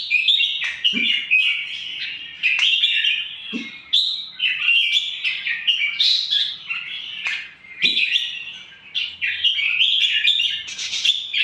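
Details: Indonesian red-whiskered bulbul, described as an aggressive singer, pouring out a long chain of loud whistled and chattering phrases, rapid and varied, nearly unbroken, with occasional faint low thumps.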